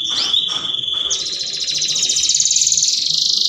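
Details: Canary singing a mating lure song: brief upswept notes lead into a long, fast, rattling trill held at high pitch for over two seconds.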